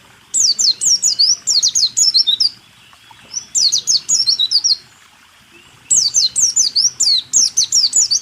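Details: White-eye song used as a training recording for caged songbirds, in the rool tembak style: bursts of rapid high, sharp descending whistled notes, about four per second, in phrases of two to three seconds separated by short pauses.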